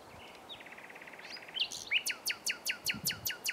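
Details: Common nightingale singing among shrubs on 27 April 2021, heard during a bike ride where several nightingales lived, one bird perched in view; a fast run of even chirps, then a loud series of sharp descending whistled strokes repeated about six times per second.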